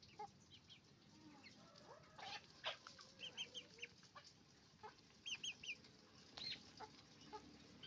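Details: Roosters and hens on a chicken farm making noise: a busy mix of short, sharp clucks and squawks, some in quick bursts of three, rising over a steady low farm hum.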